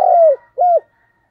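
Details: Spotted dove used as a decoy, 2022: a long coo falling at its end, then a brief arched coo, both low, mellow and clean against silence.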